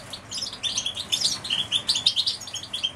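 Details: Canaries pour out high, sweet twitters and short trilled phrases, several voices crowding together in a busy, lively chorus with rhythmic pulses of louder notes.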